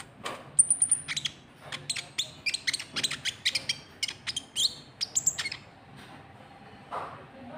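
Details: White-cheeked bulbul lure call for drawing rival birds: a very high thin whistle followed by a dense stream of sharp chips and short notes, tapering off into quiet.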